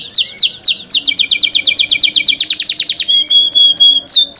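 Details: Cenkok canary song with a few slow downslurred whistles speeding into a rapid run of crisp descending notes, followed by a thin sustained tone and two more sweeping slurs.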